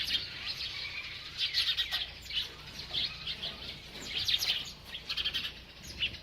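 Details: A bird keeps chirping while feeding: clusters of quick, high twittering notes come in uneven bursts, some rapid trills, with soft rustling underneath.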